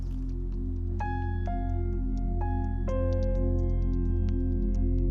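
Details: Ambient music of ringing bell-like chimes over a low sustained drone, with no animal voice.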